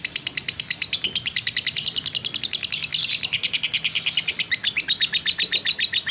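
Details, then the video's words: Long unbroken 'ngekek' trill from a fighter lovebird used to provoke other birds: a rapid, steady chain of sharp, high chattering pulses lasting the whole stretch, slightly louder in the middle. "pancingan lovebird JITU emosi ngekek panjang ngetik nyaut"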